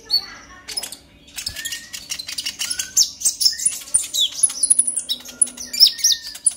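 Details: Excited chattering song of a purple-throated sunbird, used to provoke other birds into song: a few clicks and a faint note, then a quickening stream of thin, high twitters and squeaky whistles.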